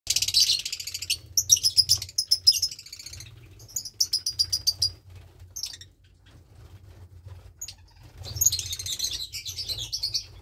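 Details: Lovebird chick about 20 days old, one of two chicks in a nest, offspring of a Parblue Turquoise and Euwing Blue Opaline pair; bursts of rapid, high raspy chirping pulses, pausing between bouts, with a low steady hum beneath.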